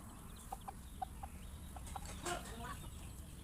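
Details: Chickens in a farm flock, startled by a noise while eating; a run of short even tonal clucks, then a louder burst of mixed calls, over low background rumble.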